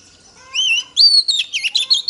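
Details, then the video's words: Female Oriental magpie-robin singing to stimulate males: a soft, drawn-out rising whistle, then a loud clear note and a rapid series of short, bright, up-and-down whistled notes. "Choè than mái kích trống hay nhất"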